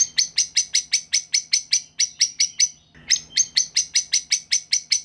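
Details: White-rumped shama song played as a lure to make young speckled shamas answer and sing: harsh, crackling notes repeated about three times a second in a steady series, briefly pausing midway, with no other sounds.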